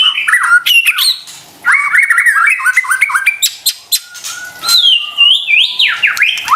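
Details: White-rumped shama song played to rouse stressed caged birds: harsh notes and a run of rapid rising whistled notes, then long sliding whistles.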